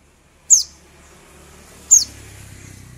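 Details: {'caption': 'Crimson Sunbird (sogon) lure recording meant to provoke rivals: three sharp, very high, sliding chips spaced over a second apart, over a low background hum.'}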